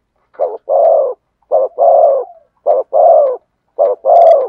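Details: Thổ sấm style song of a spotted dove. Four deep coo phrases, each a quick short note followed by a drawn-out husky coo, spaced about a second apart against a clean, silent background.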